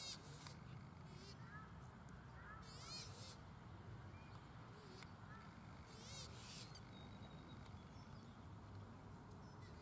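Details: Pukeko (Australasian swamphen) recorded at Waterford park, Christchurch, April 2019: several harsh, wavering screeches at intervals of a few seconds, softer warbling notes between them, and a constant low rumble underneath.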